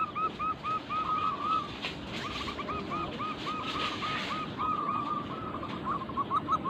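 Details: Local zebra dove, used as a lure recording to prompt other doves to sing: a rapid string of short cooing notes, heavily masked by steady broadband background noise.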